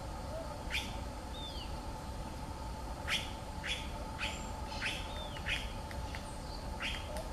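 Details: Ochre-collared piculet pecking hard on wood in search of food: sharp, dry taps in irregular bursts, about seven in seven seconds, with faint thin whistles from other birds and a low background hum.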